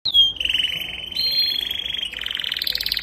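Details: Young canary singing: a high whistled opening note, then a long fast trill held near one pitch, shifting to a lower buzzy rolling trill and ending in rapid higher pulsed notes.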